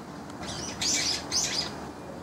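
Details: Two shrill, high-pitched squeaky notes about half a second apart from young brown-eared bulbuls trading calls with each other in the spring-to-summer season.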